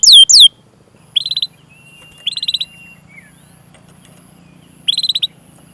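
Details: Canary chirping, used to coax other canaries to sing: short bursts of fast high notes, a few loud sweeps at the start, then three brief trilled bursts separated by quiet gaps with faint low hum.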